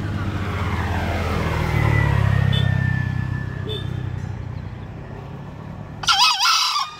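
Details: Vehicle noise swells and fades before a green junglefowl lets out a short, strained, wavering crow near the end, loud and raspy over the traffic.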